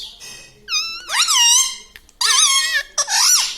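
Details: Indian talking parrot in a small room, mimicking words such as "Papa Mummy"; three loud, nasal, harmonic syllables that bend and wobble in pitch, with short gaps between them.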